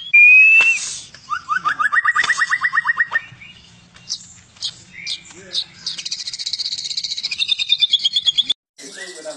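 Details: White-rumped shama song: a pure whistle, then a fast stuttering series of rising notes, scattered chips, and a long rapid rattling trill that climbs slightly before stopping abruptly.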